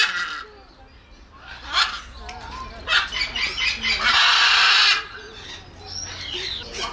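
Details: Macaw of South America with a powerful voice: uneven raspy calls build to a sustained harsh scream lasting about a second, then fade into quieter scattered squawks.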